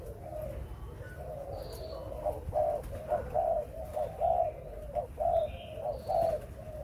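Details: Breeding spotted dove cooing: low, soft coo notes repeated roughly once a second in a steady series, over a constant background hiss with a few faint high chirps from other birds.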